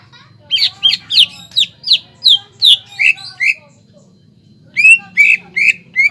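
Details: Greater green leafbird in energetic song, played to stimulate untrained birds: a rapid string of about ten buzzy falling whistles, a silent pause of over a second, then four more clear whistled notes, with low hum beneath.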